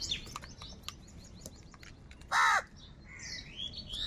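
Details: Angry crows among a large flock fighting for food: one loud, harsh, rasping caw of about a quarter second stands out over scattered high chirps and twitters from other birds.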